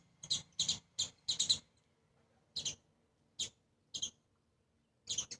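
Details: Sparrows feeding on grains, the parents joined by their two young on a seventh floor; a quick run of four sharp chirps, then single chirps spaced about half a second to a second apart.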